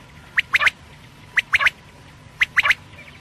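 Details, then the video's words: Batair (quail) calling: clear liquid three-note phrases, one note then a rapid doublet, repeated about once a second, with quiet hum behind. "quail sounds/ batair ki boli | Batair ki Awaz rat k lia"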